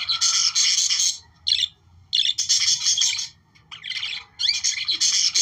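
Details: Chattering budgerigars whose song is meant to stimulate breeding; repeated bursts of harsh, buzzy warbling and squawky notes, each lasting about a second, broken by brief pauses.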